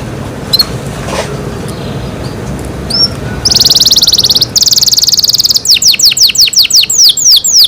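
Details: Canary in its owners' care. After a quiet start with a few faint notes, a loud buzzy rattling trill begins, followed by a fast run of downslurred whistled notes.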